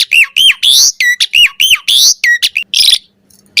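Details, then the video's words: Singing Asian pied starling for training birds: a string of arched whistled notes alternating with harsh rasping squawks, then a brief pause before the next phrase. "Suara Jalak Suren Full Variasi Ocehan"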